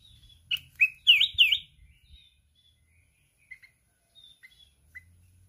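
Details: Mountain red-whiskered bulbul in a song contest, wings flapping continuously, singing the 'kít bổi' wild voice. A tight cluster of four loud warbled notes early on, followed by soft, sparse chirps.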